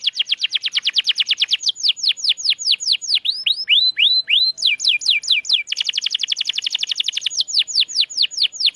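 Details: Canary song played as a training recording to coax silent canaries back into singing: fast rolling tours of repeated sweeping notes, some falling and some rising, changing pattern every second or two in a bright, clear, continuous stream.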